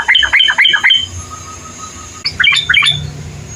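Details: Caged bulbul song recorded to prompt other birds to sing: two bursts of harsh, squawky chattering notes, each burst a quick run of rough syllables, separated by a quieter pause with a faint steady hum.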